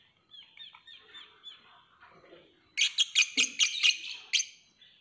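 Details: Lovebird with soft upslurred squeaks at first, then a rapid burst of about seven loud, shrill, buzzy chirps in quick succession, ending in one more piercing note.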